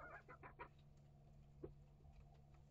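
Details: Chickens in a coop and run holding year-old Rhode Island Red, Barred Plymouth Rock and Light Brahma hens plus young chicks hatched August 2023: a quick burst of four or five harmonic clucks, then quiet with faint rustling and a steady low hum.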